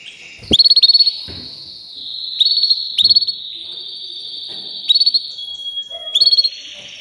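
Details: A canary delivers a continuous high trilled song, long even rolls interrupted by short loud pulsed phrases at intervals of about one to two seconds, with a few low clicks.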